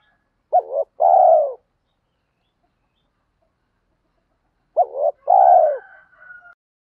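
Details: Coos of captive-trained spotted doves, male and female, used to rouse other doves in training. Two phrases sound about four seconds apart, each a quick, broken double note and then a rounded, falling coo, followed by a faint trailing note after the second.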